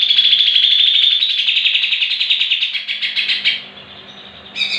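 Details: Lure song of a greater green leafbird, played to draw other leafbirds into 'muntah beling' singing: a loud, rapid, rattling series of repeated notes, about four each second, that fades after three and a half seconds before a short final burst.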